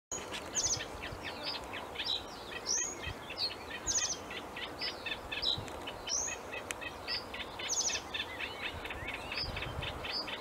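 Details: Male common reed bunting singing short, bright, ringing phrases that repeat roughly once a second, set within a busy chorus of other small birds' chirps and twitters over a steady low background rumble.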